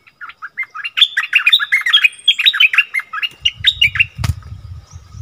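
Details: {'text': 'Wild striated bulbuls in a fierce vocal dispute, recorded 8 February 2021: rapid bubbly warbled phrases of short rising and falling whistled notes tumble together for three seconds, then a low rumbling noise and one sharp click.'}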